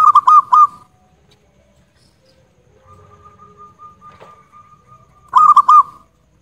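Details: Loud local zebra dove on a tutor recording: a rolling four-note ringing phrase, a long faint steady coo, then another loud rolling burst of quick bell-like notes.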